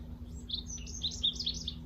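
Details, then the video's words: A Bewick's wren sings near a freshwater creek meeting the ocean on the southern coast of Vancouver Island, British Columbia, on a July morning: a quick run of crisp, clear high notes and trills, like a brighter song sparrow, over a low hum. "So singing behind me here is a Bewick's wren."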